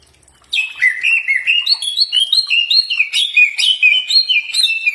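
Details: Common iora singing after a brief silence: rapid, bright whistled notes alternating between higher and lower pitches, about two per second, with a few thin high overtones.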